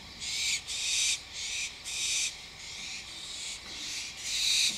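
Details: An adult and a juvenile barn owl give harsh, hissing screeches at 11:30 PM in bursts of about half a second to a second, one after another with brief gaps.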